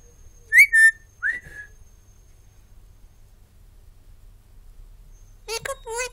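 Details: Pet bird in a quiet room, known as a loud talker: a short whistled phrase and a brief slurred note, a long silence, then a quick burst of rattling chatter; a man's voice praises it.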